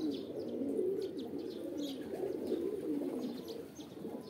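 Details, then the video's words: Short, gurgling pigeon coos repeated in quick succession, rising and falling slightly, with light tapping sounds and a softer murmur underneath. "Kabutar | Pigeon Videos | Kabootar Ki Video Episode-4 | Birds Sounds"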